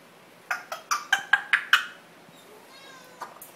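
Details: A female Congo African grey parrot, a 4-month-old free-flight pet, gives seven quick, nasal, meow-like syllables, about five a second, then falls quiet apart from a few faint clicks.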